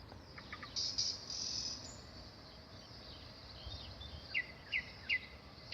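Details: Singing nightingale: a buzzy high rattle phrase, a pause, then three sharp rising whistled notes spaced about half a second apart, with faint steady hiss behind.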